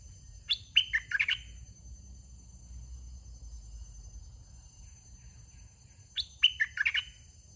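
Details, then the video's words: Decoy red-whiskered bulbul kept in a cage, giving two matching phrases of soft wild-style 'soe' song several seconds apart, each a quick cluster of bright, chirpy whistles with quiet low hum between them. "ต่อนกกรงดอกแตง (เจ้าช้าง) ตัวที่61. จัดลูกเสอป่าอ่อนๆ"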